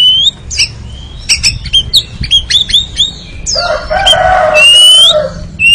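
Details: Oriental magpie-robin (kacer) ngeriwik training song: a quick run of about ten sharp clicks, each followed by a short whistled note, then a long harsh buzzy chatter ending in a rising whistle.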